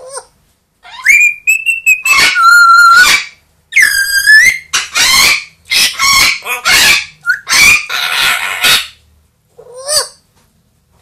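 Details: Pet grey parrot aged two and Amazon parrot aged one, kept indoors, calling and screaming; a long sequence of loud nasal harmonic squawks and rising whistles, some held notes, in fast irregular bursts with brief pauses.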